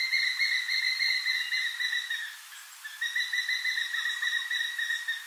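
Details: A crowned eagle near Port Alfred, Eastern Cape, South Africa, gives two long, high, whistled calls with a fast, slight wavering, separated by a brief pause. No other sounds stand out.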